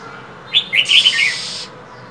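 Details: Female than songbird in cold winter, calling to stimulate males to sing: one short burst of quick, high twittering chirps lasting under a second, with a raspy hiss underneath, over a faint steady background hum.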